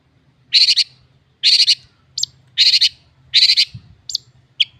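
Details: Long-tailed shrike song of harsh, loud grating bursts in repeated pairs, broken by brief thin high notes, with a low steady hum underneath.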